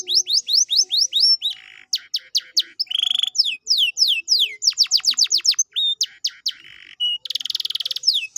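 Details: Canary song used as a lure to get a quiet canary singing again: rapid series of falling whistled notes, each repeated in quick runs, broken by buzzy rattles and short harsh trills, loud and continuous.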